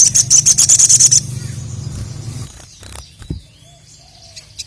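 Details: Crested jay (Sogon), a kept contest bird, calling to challenge a rival: a fast dry rattle of sharp high clicks for just over a second, then quiet rustling over a low steady hum.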